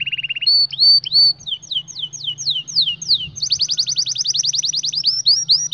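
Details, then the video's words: Canary singing for training young canaries: a short buzzy trill, clear whistled upslurs, a series of descending swept notes, then a long rapid high trill, with a low steady hum underneath. "Canary 's most powerful song for training 2022 اجمل تغريد لتعليم فراخ الكناري"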